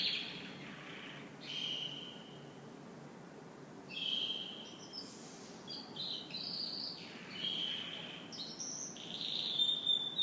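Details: Canary singing in the morning in spaced phrases: steady whistled notes, rising sweeps and short rolls separated by brief pauses, with quick chirps near the end.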